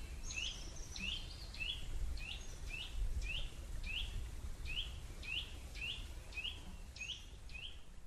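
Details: Eurasian nuthatch, a garden bird, giving its slow, rhythmic song: a steady series of clear, upslurred whistles, roughly one every 0.6 seconds, over a low rumble of background noise.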